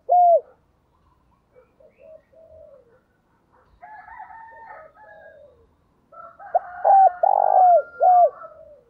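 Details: Caged decoy spotted dove calling to attract wild birds in a rural area. A loud hollow coo opens, then another bird's harsher, higher calls fill the middle. The dove's phrase of short and long coos closes it.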